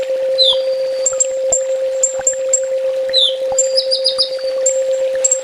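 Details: Olive-backed sunbird training song, full tembak style: scattered thin high chips and a brief slurred note, then a short rapid trill near the end, with a steady low hum throughout.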